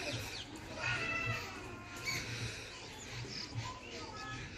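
Brown babblers chatter in overlapping, harsh, squeaky notes without a steady rhythm, over a low pulsing rumble in the background.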